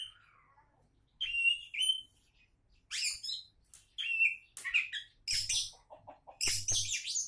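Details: Oriental magpie-robin, presented as a future champion, sings a varied series: a falling whistled slur, clear fluty notes, harsh buzzy bursts and a quick descending run of lower notes, separated by brief pauses, with soft low knocks.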